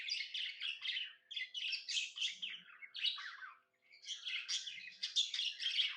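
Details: Happy budgie chirping indoors: bursts of rapid, raspy warbles and high chirps separated by brief pauses, with a faint low tap in the background.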